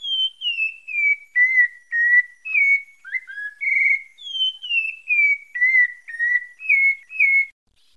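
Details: Santa Fé, Bahia pale-breasted thrush song: loud, clear whistled notes descending in a series, a brief lower twist, then the falling series repeated, about two notes a second over eight seconds.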